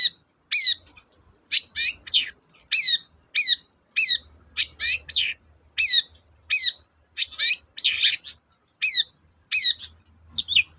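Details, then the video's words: Long-tailed shrike song intended to stimulate reluctant shrikes: a steady stream of harsh, squeaky chattering notes, each with a rising and falling twist, delivered in quick pairs and runs with scarcely a pause across eleven seconds. "BURUNG CENDET GACOR, PANCINGAN KHUSUS CENDET MALES BUNYI"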